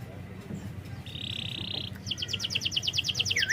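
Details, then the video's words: Canary singing, meant as a lure to prompt a reluctant bird: a low background hum, a steady buzzy roll, then a quickening series of sharp high chirps and a final down-swooping note. "Masteran burung KENARI||Pancingan kenari malas bunyi."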